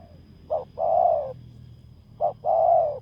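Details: A spotted dove in decoy luring on bare ground gives two phrases, each a short hoot followed by a long, even coo, about 1.7 seconds apart, with a quiet background.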